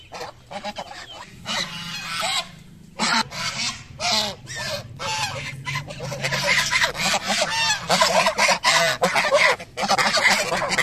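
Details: Geese feeding in the morning, honking almost continuously: dense overlapping harsh nasal honks from several birds, rapid and irregular, roughly a hundred per minute, with brief pauses between bursts.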